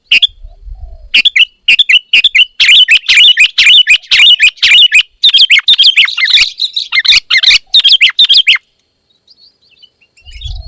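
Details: Sooty-headed bulbul, described as a female and singing vigorously, pours out a fast, dense run of bright chirps and twittering notes for about seven seconds, packed tightly with brief gaps, then falls quiet near the end.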